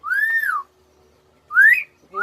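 A myna gives clear, voice-like whistled phrases: one arching tone rising and falling, then a rising slurred note after a pause, with a third starting at the end.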